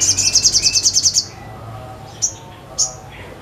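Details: Sogon in full voice: a rapid trill of very high, piercing repeated notes for about a second, followed by silence and two isolated sharp chips.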